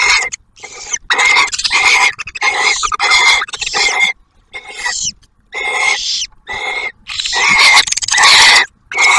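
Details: Barn owls at a nest camera at Ottawa National Wildlife Refuge near Oak Harbor, Ohio, as the male delivers food and the female feeds the first hatched owlet. Dense bursts of harsh, harmonic chittering calls, repeated rapidly with brief silent gaps.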